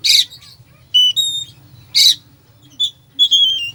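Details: Kacer, the Oriental magpie-robin, in full isian song meant to stir a lazy bird into singing; raspy bursts break between pure, high sustained whistles and a falling warbled phrase, low hum underneath.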